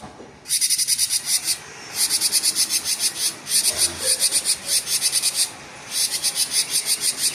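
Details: Rapid 'gacor konslet' song of a cinereous tit: three long bursts of thin, piercing, closely spaced high notes separated by brief pauses, with a faint low background hum.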